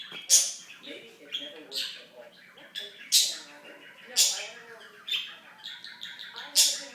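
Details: Talking pet budgie gives soft murmured speech-like babble punctuated about once a second by loud, piercing, sibilant chirps and short squawks.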